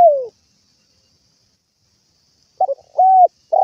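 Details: Spotted dove calling its companions, with the falling end of one coo, a pause, then the stuttered notes and level coo of the next phrase, cut short at the end.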